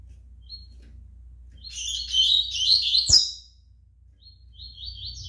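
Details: Captive young double-collared seedeater, five months old: a dense burst of high, scratchy twittering for about two seconds, then brief thin chirps, over a faint low hum.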